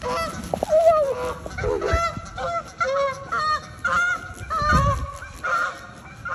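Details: Angry goose chasing someone, giving harsh, nasal honks in repeated bursts with slurred, wavering tones, some overlapping calls, and scuffling noise underneath.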